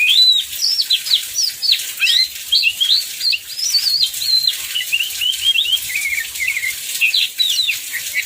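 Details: Oriental magpie-robin singing through heavy rain as a lure to get other magpie-robins singing; loud, rapid, varied whistled notes with sharp rising and falling slurs fill the phrase, backed by steady rain noise.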